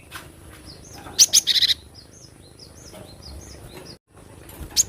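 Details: Javan munia, wild, giving a burst of high chirps and a buzzy rattle, while other birds whistle soft rising notes in the background.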